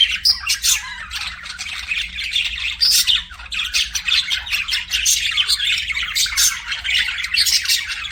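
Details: Several budgerigars chirping together, rapid scratchy warbling broken by sharp, higher squawks every second or so, continuous and lively with no pauses.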